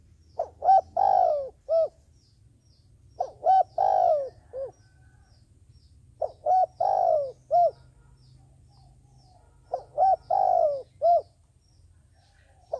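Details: Lure dove for trapping giving cooing phrases of quick clipped hoots, a long falling coo and a final short note, repeated about every three seconds against low hum.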